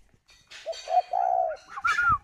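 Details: Spotted dove kept at a farm in Ba Vì district, Hanoi, Vietnam, cooing while sitting on eggs; one soft coo of short lead notes and a long, low final note, followed by higher whistled human sounds.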